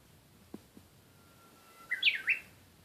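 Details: Japanese bush warbler gives a thin, level whistle that slips slightly lower, then a loud, tumbling flourish of high, looping notes. Two faint knocks come before the song.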